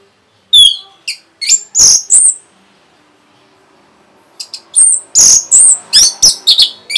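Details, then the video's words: Rapid song of an Orange-headed thrush, used as a lure for other birds: sharp high whistles and rasping notes in two bursts separated by a two-second pause, the second burst longer and busier. "SUARA RAPET ANIS MERAH BIKIN EMOSI BURUNG"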